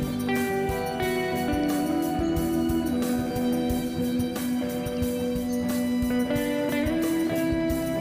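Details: Instrumental music with sustained organ-like tones and plucked string notes plays throughout, with no animal sounds.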